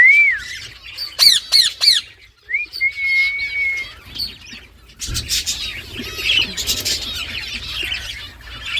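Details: Green ringneck talking parrot: a rising whistle, crisp clicking notes, and a drawn-out flat whistle, then a stretch of busy twittering from other birds.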